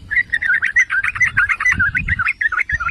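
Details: Trucukan or yellow-vented bulbul giving continuous liquid, bubbly phrases of quick warbled notes without a break, used to provoke other bulbuls into singing; faint low background hum.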